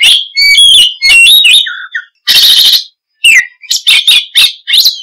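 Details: Lively oriental magpie-robin (kacer) song with varied whistles, short flat tones and a long harsh buzzy burst, followed by sharp rising notes in rapid succession and brief silences.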